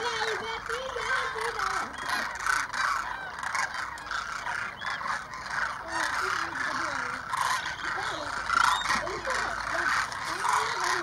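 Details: Huge flock of demoiselle cranes, roughly 2,500, flying in to drink at a small lake, Keechan, Rajasthan, India, January: steady wall of overlapping rolling calls, with some human voices.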